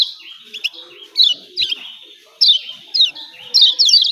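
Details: Softer spells of yellow white-eye 'ciak ciak' calls, pleci of Lombok, come as isolated thin high chirps over a faint steady hiss, finishing in a quick double burst.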